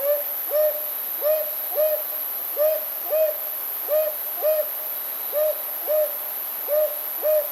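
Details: Brown Hawk-Owl spring-to-early-summer song: soft, low hoots in evenly spaced pairs, 'hoo-hoo… hoo-hoo', about every second and a half, with a faint hiss behind.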